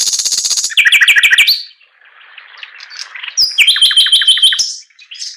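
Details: Chinese hwamei delivers a rich song: a high buzzy rattle, a series of repeated looping whistled notes, a quieter warbled passage, then another fast run of bright repeated phrases.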